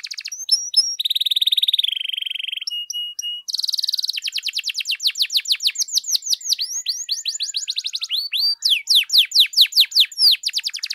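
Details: Canary song played as a lure to excite other canaries into singing: rapid high trills, buzzy held notes and quick sweeping chirps follow one another, growing into a dense run of falling notes toward the end.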